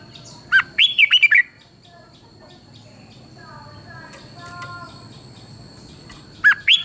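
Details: Song of a red-whiskered bulbul in Thailand, played to excite bulbuls: a lively phrase of looping, whistled notes at the start, soft chirping in the middle, and the next phrase beginning at the end.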